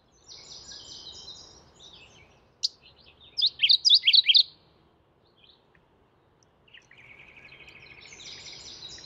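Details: Mourning warbler calling: a loud string of five quick, slurred high notes in the middle, framed by buzzy trills from other birds and a soft low background hum.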